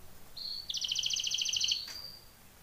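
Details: A canary sings for training: a thin whistled note leads into a short rapid chopped trill, then returns to a level whistle, over soft background hiss.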